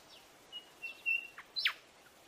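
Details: Buff-sided robin giving a short phrase of level thin whistles, then one bright, steeply falling chirp, against quiet natural background hiss.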